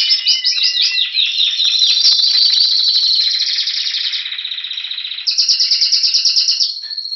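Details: February song of a Spanish Timbrado canary waiting for spring, Anavissos, Athens, Greece: opens with quick descending chirps, then a long sustained rolling trill, switching abruptly to a sharper, faster pulsed phrase before fading.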